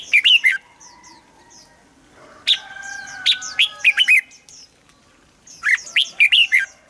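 Red-whiskered Bulbul singing short bursts of bright, liquid, chirping phrases, several quick notes each, separated by pauses of a second or two.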